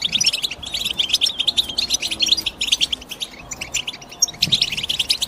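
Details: European goldfinch chirping: dense, bright twittering of quick high notes in rapid runs, with brief pauses and a fresh burst of liquid trills near the end.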